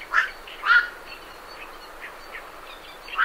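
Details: Two loud, harsh quoks open the sequence from night herons leaving the roost, followed by quieter distant croaks and a final call, over great reed warbler chatter.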